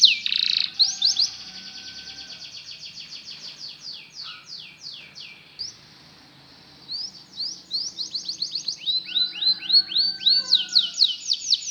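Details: Canary singing to teach canaries to sing, quieter with background hiss: bursts of rapid trilled notes, a brief pause, then swooping slurred phrases that build into loud, fast trills.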